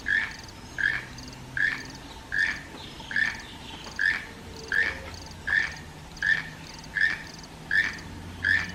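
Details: Toucan calling in the wild rainforest, a rhythmic run of about a dozen short, grating croaks at an even pace, each with a buzzy upper edge, over a low background murmur of forest.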